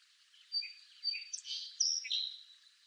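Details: Song sparrow singing in eastern North America: two clear whistled introductory notes half a second apart, then a jumble of bright, buzzy and chirping notes, ending before any trill, with faint background noise.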